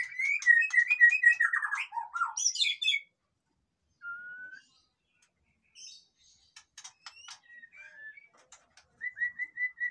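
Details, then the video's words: White-rumped shama (murai batu) in noisy song meant to rouse lazy birds: a rapid run of chattering, warbled notes, then a long pause with a lone whistle and soft ticks, ending in repeated short whistles. "suara burung murai batu ribut cocok untuk dongkrak emosi burung yang malas bunyi"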